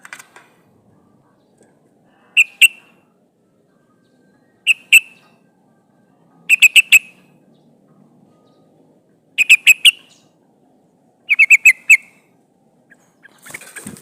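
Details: Female yellow-vented bulbul calling a male, used as a lure for catching wild birds: five short bursts of two to five sharp, clipped chattering notes, spaced about two seconds apart, with near silence between.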